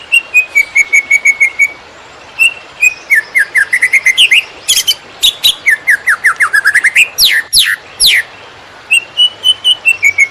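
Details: Greater green leafbird, "konslet" song used to train field-caught birds: an even trill, then cascades of slurred descending whistles, chirps and steep downward sweeps, closing with another rapid trill.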